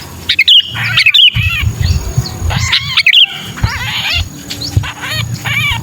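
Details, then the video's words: Lure call of a sooty-headed bulbul in distress, for drawing down bulbuls often lured before: irregular bursts of scratchy, arching squawks, roughly ninety per minute, mixed with loud clicks and a faint low hum. "Suara pikat burung kutilang kejepit"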